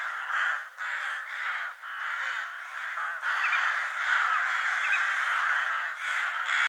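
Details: Crows calling around food, harsh caws overlapping almost without pause, several birds seemingly cawing together in a continuous noisy chorus.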